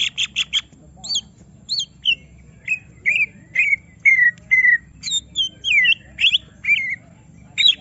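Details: Greater green leafbird, agitated to display its complete song, opens with a fast rattle of sharp notes, then gives evenly spaced clear whistles, many falling or curling, roughly twice per second.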